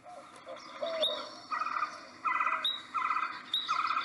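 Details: Male Abert's Towhee in Nevada giving its territorial pip, used for advertisement and territory defense far more often than song: sharp, bright pip notes in short stuttering runs, repeated roughly every second, with a few higher squeaky notes mixed in.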